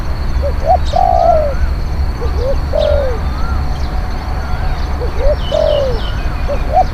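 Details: Cooing spotted dove used to attract wild birds, a bold, eloquent singer: three phrases of short upslurred notes climaxing in a loud, long, falling coo, with faint chirps from other birds and low hum.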